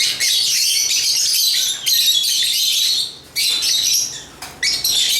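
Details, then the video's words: High, raspy chirping from lovebirds in long continuous runs, shrill and buzzy, with two short breaks. "African Love birds Agapornis chirps singing sounds"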